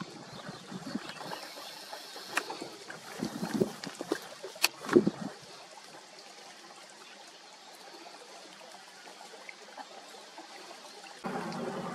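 Trickling water and faint splashes with a few knocks and clatters, and no clear animal voice.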